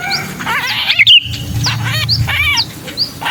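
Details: Pinched sooty-headed bulbul, kutilang kejepit, calling in distress as a lure: raspy squawks and a sharp distorted burst, with thin high downslurred notes between them and a low rumble below.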